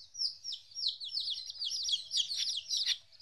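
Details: Domestic chicks, 14 days old and first separated from their mother, heard a little more distantly: a blur of thin, high overlapping cheeps with a faint low rumble beneath.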